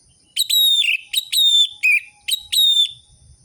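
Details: Clean orange-headed thrush whistles from a lure recording for caged birds that have stopped singing. Pure, steady, ringing whistles with sharp attacks come in quick succession, broken by one brief trilled note.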